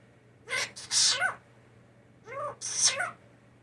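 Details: Blue jay hand-reared indoors after leaving the nest too young gives sneeze imitations: a pair of two-part sounds, a short nasal rising 'ah' then a loud hissy 'choo', repeated after about two seconds.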